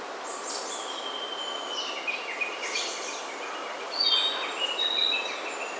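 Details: Wild birdsong in old-growth forest on Ujina Island near Hiroshima city, Japan: several thin high whistles and short chirps over a steady hiss of background noise, louder sharp notes near the end.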